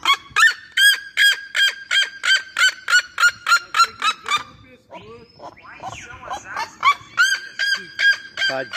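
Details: Red-legged seriema song: a fast run of sharp, ringing yelps about three per second, interrupted mid-way by a rougher, rising chatter, then the yelping series picks up again.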